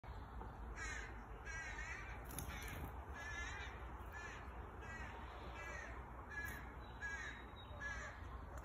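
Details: Chickadee fledgling in a garden gives harsh, buzzy calls, roughly one or two each second, over a steady low rumble.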